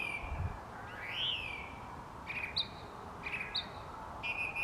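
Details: Song thrush at dusk outside a studio: an arching whistle, then a pair of short two-pitched phrases, about a second apart, and a final note, against continuous low background noise.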